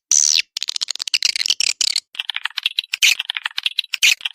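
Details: Edible-nest swiftlet lure call played for swiftlet houses: a sharp falling chirp, then fast rattling clicks and clusters of short twittering notes, high-pitched and choppy throughout.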